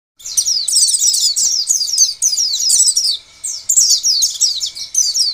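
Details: Oriental white-eye lure song meant to set other white-eyes singing and in full voice; rapid, high, sweet twittering phrases of quick down-slurred notes run almost nonstop, with a short pause near the middle.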